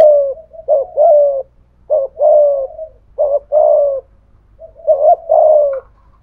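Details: Spotted dove cooing, a decoy bird of the thổ voice style with thúc gù calls challenging a wild dove; low hollow coos in paired phrases, a short note then a longer falling one, repeated about every one and a half seconds.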